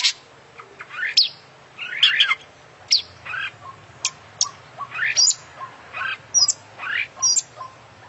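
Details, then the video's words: Oriental magpie-robin (kacer) of international champion standard, singing continuously with a repertoire full of imitations: scattered sharp high chips and rising whistled notes over a faint low hum. "Full Isian Juara Internasional Burung KACER Gacor"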